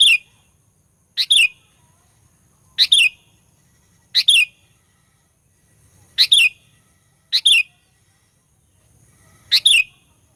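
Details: Sooty-headed bulbul used to provoke rival birds: sharp two-part notes, scratchy then downslurred and whistled, repeated seven times at uneven intervals of one to two seconds over a faint hum.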